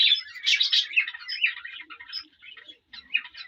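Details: Male cockatiel warbling to a female to spur mating, opening with loud, tumbling whistled chirps that fade into softer, broken twitters after a brief gap.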